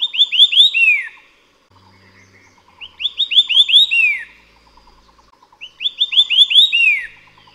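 White-eared Sibia giving bursts of five or six loud, ringing whistled notes, the last one lower and slurred, repeated about every three seconds over faint softer chatter.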